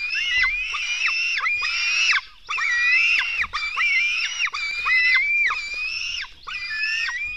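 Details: Black stork young beg at their Latvian nest during a 04:53 feeding on 24 June 2016. Loud, grating screams come in closely packed series, each roughly half a second long, broken by a few short silences.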